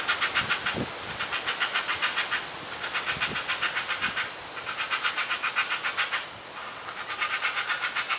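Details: Two heron chicks begging while being fed at a nest about ten metres up in a tree: harsh, rapid, rhythmic chattering in bursts of about two seconds, separated by short pauses, with a faint low rumble beneath.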